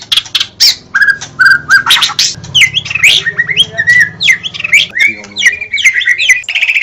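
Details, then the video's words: Energetic song of a White-rumped shama kept as a cage bird: harsh squawking bursts mixed with quick whistled slurs and chattering notes, tumbling on almost without pause, with a low steady hum beneath. "SUARA BURUNG - Murai batu DIJAMIN LANGSUNG NYAUT dan GACOR dengan suara murai batu terbaik ini"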